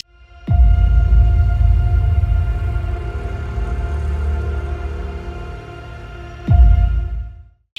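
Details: Deep, droning dark music with two heavy low booms, and no animal voices.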